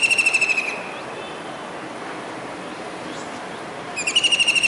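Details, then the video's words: Rainy day in July 2019, Surat, Gujarat: a kingfisher perched on a building's dish antenna calls. A high, fast rattle fades out, about three seconds of near quiet follows, then another rattling trill starts up. "Kingfisher Bird's Voice"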